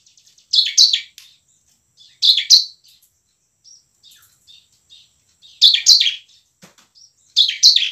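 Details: Eager bar-winged prinia used as a lure for reluctant singers, delivering nembak-style bursts: loud paired buzzy chips separated by pauses, with soft scattered ticks between the bursts.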